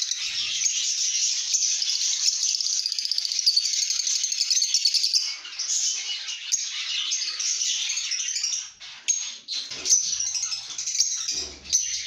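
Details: Content lovebirds chattering in a good mood: rapid, buzzy high twittering pulses for about five seconds, then looser bursts of chirps with brief pauses.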